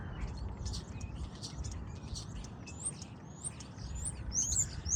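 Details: Starlings recorded outdoors, first on a smartphone and then with optics: a jumble of high whistles, rising and falling slurs and short chirps over steady low rumbling background noise.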